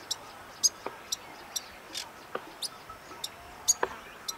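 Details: Gambaga flycatcher (Muscicapa gambagae) at Sabt Al Alayah, Asir, Saudi Arabia, giving thin, high tsit notes mixed with soft dry ticks, irregular and about twice a second, over a quiet background.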